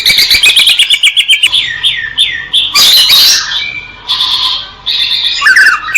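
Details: Greater green leafbird song: a fast chatter of sharp notes, then looping downswept whistles and loud scratchy, harsh bursts mixed with warbled phrases.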